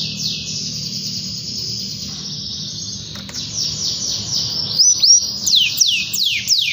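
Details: Canary singing loudly to call rivals and set other canaries singing: a long high rolling trill, then fast repeated downslurred whistles late in the phrase, over a low steady hum.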